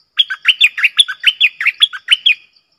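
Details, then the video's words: Red-whiskered bulbul in a clear-voiced 'double' song used as a lure call: a rapid run of about eleven bright, whistled notes alternating higher and lower, delivered evenly over two seconds, with a quiet background. "เสียงนกดอกแตงEp.97 Birdsound เพลงเบิ้ล/เสียงใสน่าฟังSuara pikat merbah lekir"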